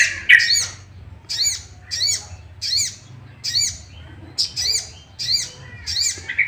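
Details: Sooty-headed bulbul lure song, harsh arched notes repeating steadily close to once every second, with a low background hum; used to make other bulbuls sing.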